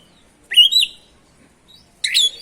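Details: Oriental magpie-robin song used to excite other magpie-robins; two loud whistled phrases, a rising slur then a rich buzzy burst, separated by a second of silence.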